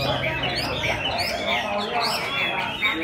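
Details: A Chinese hwamei that has just finished moulting, said to sing all day, gives a steady stream of rich, varied whistles with quick slurred and rising notes over a busy background hum.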